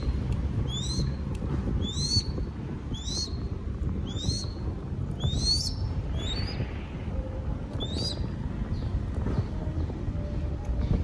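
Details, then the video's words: Feeding a baby crested goshawk in Cambodia: a run of about nine piercing, rising whistled begging squeals roughly every second, fading after eight seconds into quieter low background noise. "Feeding Baby Crested Goshawk / ឲ្យចំណីកូនស្ទាំងអឿនអិន"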